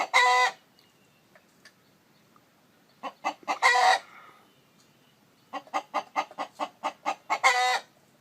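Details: Domestic chicken where a hen incubates eggs; three loud, grating squawks, at the start, middle and end, each preceded by clipped, rhythmic clucks, with quiet gaps between.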